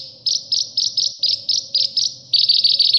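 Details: Sunbird, kolibri ninja, calling in a recording meant to train caged songbirds: a series of short, bright, slightly buzzy chirps about four per second, with a pause and then a faster, tighter run at the end.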